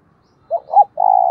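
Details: Caged decoy spotted dove calling to provoke wild males to coo and fight: one low cooing phrase, two short rising-falling notes followed by a long steady drawn-out coo, quiet background.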